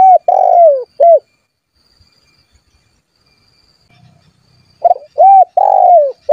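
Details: Spotted dove in strong calling form, used to call rivals and make them sing and to lure wild doves close; loud mellow coos, each sagging downward, given in two short groups separated by a few seconds of silence.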